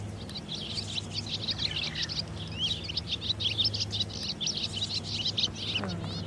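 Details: A fledgling barn swallow (Hirundo rustica) gives rapid, high twittering chirps without pause, an insistent hungry begging, over a steady low hum.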